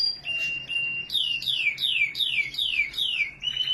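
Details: Canary singing in Norway: a high whistled note held steady, then a fast series of six descending, slurred whistles repeated about every third of a second, ending on a rising trill.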